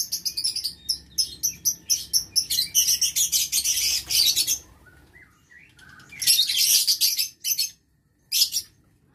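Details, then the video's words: Lovebirds in an aviary breeding cage, 6 November 2022: a rapid, rhythmic run of piercing screeches, about three per second, then a pause, a dense shrill chatter, and a final sharp shriek. "Aviary Lovebird"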